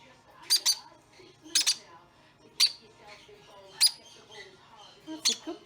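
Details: A baby caique being hand-fed formula, fed every four hours, gives harsh, high, buzzy squawks in short paired bursts, about one a second. Its parents are audible in the background, along with faint human voices.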